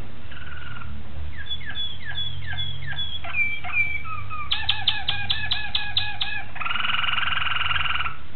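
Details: Malinois Waterslager canary recorded on 26 October 2012: a varied song of short falling whistles, then a quick run of evenly spaced bubbling notes, ending in a steady rolling trill.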